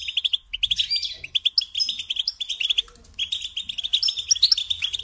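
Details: Twittering song of a European goldfinch, kept for song training: quick runs of high liquid chirps and trills, broken by a short pause midway.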